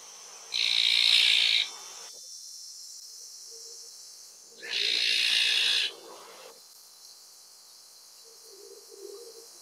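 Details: Azure-winged magpie giving two long, harsh, raspy screeching calls, each about a second long and roughly four seconds apart; soft low chatter is heard between and after them.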